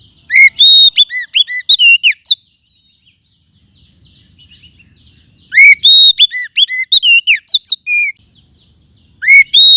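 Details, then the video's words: Lure song of a wild forest oriental magpie-robin, meant for training other birds: two loud bursts of fast, varied whistles and slurred chirps, separated by about three seconds of near quiet with faint twittering. "Kumpulan Suara Pikat Burung Kacer Hutan 2024 ‼️Cocok Untuk Masteran"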